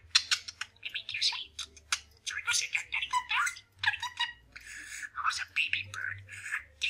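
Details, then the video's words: Pet male budgerigar chatting and mumbling while practising sayings like "pretty bird" and "baby bird": a fast, scratchy mumble of mimicked words mixed with high squeaks and warbles, running on without pause over a faint low hum. "Parakeet Chats and Mumbles"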